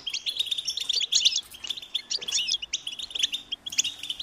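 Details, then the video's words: Hungry goldfinch chicks calling their parents, giving fast, high, jangling chirps in uneven bursts, busiest around one second and again near two and four seconds. "unique experience in stimulating goldfinch and chirping birds"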